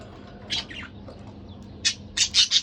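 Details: Budgerigar pair kept as pets: a couple of scratchy chirps, then a quick cluster of harsh, buzzy squawks near the end.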